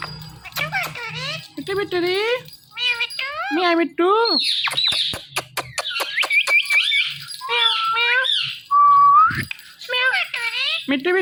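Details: Hand-tame pet parrot talking while dancing joyfully: a rapid run of speech-like phrases with warbling harmonic tones sweeping up and down, sharp clicks, and meow-like words, with background music.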